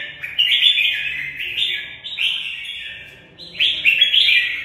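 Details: Competing red-whiskered bulbul delivering a fighting song: a near-continuous run of loud, liquid whistled notes tumbling and sliding up and down, with a brief dip in intensity before a final burst of rapid phrases.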